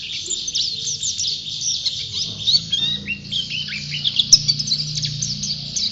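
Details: Persistent champion white-eye song: a dense stream of very high, quick chirping notes and sweeping twitters, delivered nonstop with only faint low background rumble.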